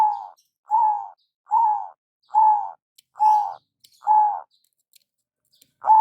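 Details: Lure calling from a local zebra dove with a big voice: even, mellow coos, each just under half a second, sounding at a steady pace of about one per second. Faint clicks fall between the notes.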